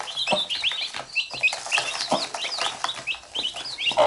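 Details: Hen and chicks at close range; the chicks bite the hen and she picks at them. Sharp rising and falling chick peeps in quick succession, with occasional low clucks and clicks.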